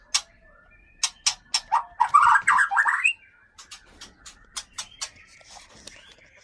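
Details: Caged white-rumped shama from the Gunung Leuser region of Aceh, Sumatra. Regular snapping clicks frame a harsh, chattering burst of mixed notes, followed by softer clicks and faint twittering.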